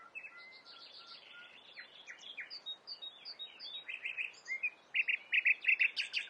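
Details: Nightingale singing a song said to mimic a whole flock of other birds. A varied run of short whistled notes, slurred chirps and clicks, building to loud, rapid, repeated buzzy trills in the last second and a half.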